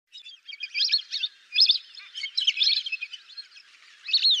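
Lesser whistling ducks give shrill, wheezy whistles in quick chattering bursts, several birds overlapping, with brief pauses between bursts.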